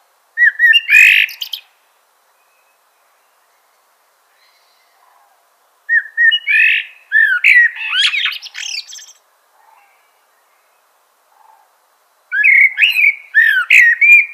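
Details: Common blackbird delivering three separate bursts several seconds apart, each opening with fluted notes and turning into busy, scratchy high twittering and squeaks.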